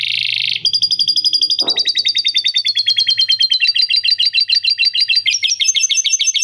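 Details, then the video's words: Canary song filled with lovebird chatter. A steady high buzz breaks into a long run of rapid, evenly pulsed trills that speed up and change tone. One short low knock interrupts early, over a faint low hum. "Kenari Gacor Panjang Isian Lovebird Ngekek PALING JERNIH⁉️ Canary Singing"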